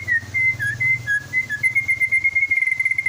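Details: Caged white-rumped shama from Klaten in Central Java, a year old and out of juvenile plumage, gives a lure song for other birds: a chain of pure whistled notes stepping slightly up and down, ending in rapid fluttering repeats over a faint low hum.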